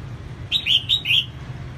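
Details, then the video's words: Red-whiskered bulbul hen singing to stir up males, giving one fast phrase of four mellow whistled notes that dip and rise, over low background noise. "CHÀO MÀO MÁI SIÊNG HOT KÍCH TRỐNG CĂNG LỬA"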